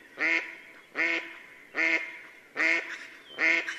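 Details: Female mallard calling at sunset near Yelno village, Novgorod oblast, Russia, on 8 April 2015, in the mating season: five loud, nasal, harmonic quacks spaced about every 0.8 seconds, each short and slightly falling, over a quiet background.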